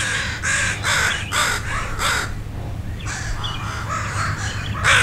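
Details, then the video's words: Crows calling in alarm, parents of two juvenile crows learning to fly, upset by a dog wandering nearby on a walk; harsh repeated caws in bursts from several birds mobbing overhead, with low background rumble. "Sadie Meets The Crows, And Boy Are They Mad!"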